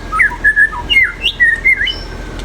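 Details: White-rumped shama giving a short run of clear whistled notes, some flat, some sliding up or down, in quick succession.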